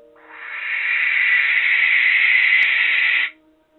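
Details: A young male Barn Owl, calling by night from a tower to court a female in his first courtship, gives one long, harsh, hissing screech lasting about three seconds, steady and rasping throughout, over faint low music; finding: Barn owl.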